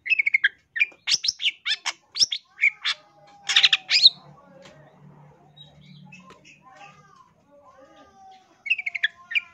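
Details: Long-tailed shrike training song: fast scratchy chatter and sharp notes, then a quieter stretch of soft warbling and faint hum, before the chatter resumes.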